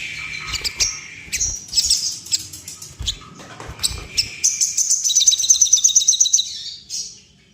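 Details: Sooty-headed bulbul in breeding condition, wing-quivering and excited. Sharp high chirps scattered through the first seconds, then a fast run of rapid repeated high notes near the middle, ending with one brief squeak.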